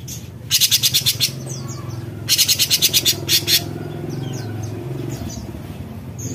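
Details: Besetan-style singing by a cucak cungkok bulbul: two long runs of fast, coarse rattling pulses, followed by faint high chirps over a low rumbling background hum.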